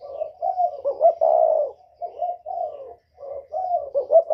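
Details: Spotted dove, whistle-voiced northern type kept as a lure for wild doves, delivering a continuous stream of soft coos with stuttered double notes and one long, full hoot, broken only by a short gap near three seconds.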